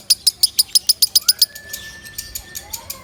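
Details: Loud lovebird song used for training other birds: a rapid run of sharp, high chirps about five per second for a second and a half, then a long level whistle and softer scattered chirps.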